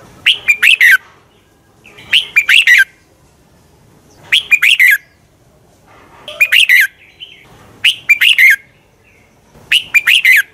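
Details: Red-whiskered bulbul fighting song for training birds: six repeated bursts of three or four sharp, bubbly whistled notes, spaced about every two seconds, steady and loud throughout.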